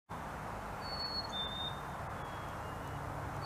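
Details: Black-capped chickadees calling to each other with the thin, pure two-note fee-bee ("cheeseburger") whistle, high then slightly lower, over a steady traffic-like rumble.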